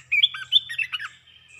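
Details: Red-whiskered bulbul singing rapid 'poen dok' flourish phrases: a bright burst of quick whistled, warbling notes that rise and fall, lasting about one second, then a thin fading trill.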